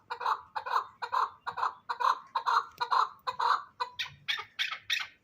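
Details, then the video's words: Hybrid fighting chukar partridges, young birds: a steady series of harsh, clucking notes repeated about twice a second, each note low and thick, turning higher and more strident in the last few notes. "Кабки Гибрид"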